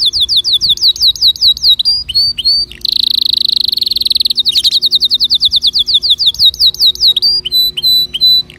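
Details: Canary singing, a song used to encourage other birds to sing. Quick repeated swooping whistles give way to a dense, rattling, high trill, then return to rhythmic looping whistled phrases.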